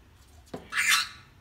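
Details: A pet musk lorikeet, said to be a talking bird, gives one harsh, rasping screech lasting about half a second, shrill and noisy, preceded by a soft tap in a quiet room.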